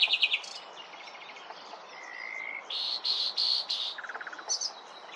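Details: Common nightingale singing: varied phrases with rapid trills, a sustained pure whistle, loud buzzy repeated notes and a fast low rattle, each shifting abruptly to the next.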